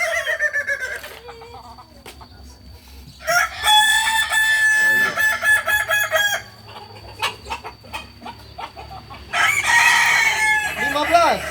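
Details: Kukuak Balenggek roosters at a Sunday joint practice in Ampang Kualo: two long, rich crows held on steady stepped tones, the second ending in a falling curl, separated by rhythmic clicks and applause.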